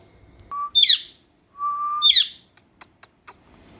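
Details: Talking parrot giving a flat whistled note that breaks into a harsh squawk, repeated twice, followed by a few sharp clicks.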